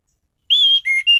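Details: Orange-headed thrush, a caged singer, uttering a short sequence of three clear sustained whistles, the middle one lower than the others.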